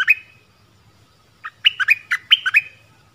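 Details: Caged dok taeng decoy in the forest calling to attract a mate, January 2021; a brief opening chirp, a pause, then a jerky phrase of about eight clear, uneven chirps.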